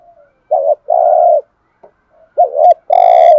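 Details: Spotted dove coos meant to rouse other doves into calling: two phrases of a wavering coo plus a long steady coo, the last one harsher and buzzier.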